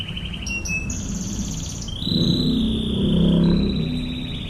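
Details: Canary song in short high trilled tours stepping up and down in pitch, followed by a long steady rolling trill, with a low murmur in the background.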